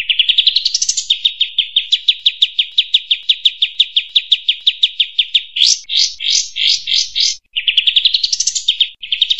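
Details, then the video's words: Olive-winged bulbul delivering the long 'tembak panjang' song: a rising opening, then a long brisk train of high clipped notes, a cluster of rising whistled notes, and more rapid trilling. "Kapas tembak panjang"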